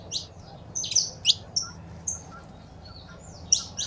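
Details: Saffron finch, a mix of female calls and male song played to stimulate a pet bird into singing; sparse high chirps and short whistled notes scattered over four seconds, with a soft low rumble beneath.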